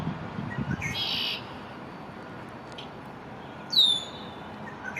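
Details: An immature male Red-winged Blackbird in his first spring, in a downtown backyard on 1 May 2024, calls to stake his territory: a harsh, buzzy burst, then a single shrill whistle sliding downward, over a steady hiss.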